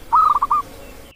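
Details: Bangkok perkutut, a zebra dove, giving one short song phrase: a loud, quavering, bubbling coo broken into three rapid rolling pulses, then silence.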